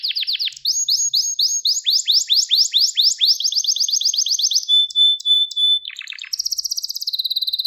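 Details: Gloster canary song for training and stimulating males. Rapid repeated slurs give way to a steady rolling trill and a long pure whistle. A quick buzzy burst follows, then a high fast rattle.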